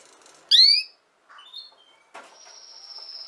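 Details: Female canary: a loud rising harmonic note, soft falling whistles, then a long steady high-pitched whistle over faint rustling.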